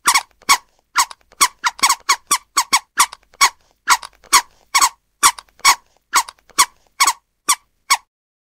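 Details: Scarlet ibis uttering a steady run of short, rasping squeaks, clustered at first then spaced more evenly at just over one per second, with a quiet background.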